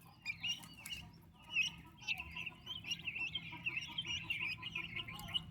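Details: Baby turkeys with the mother bird, healthy and growing quickly; thin high peeping from several chicks builds into a steady chattering chorus after a quieter opening, with faint lower notes underneath.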